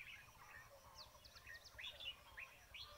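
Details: Bulbul calls heard at a trapping site: quick bright chirps and upward-slurred notes, several overlapping, growing busier toward the middle and end, over a faint low hum.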